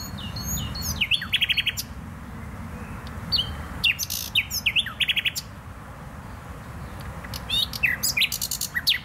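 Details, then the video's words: Bursts of nightingale song from the Botanical Garden in Poznań, Poland: rapid trilled pulses and sweeping whistles in phrases separated by short pauses. "Wyjątkowy śpiew słowika."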